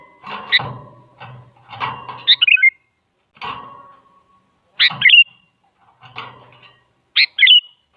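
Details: Sooty-headed bulbul, female calling male, used as a lure for a silent bird; chattering whistled phrases mixed with noisy rustling and low thumps, several bright descending note clusters spaced across the recording.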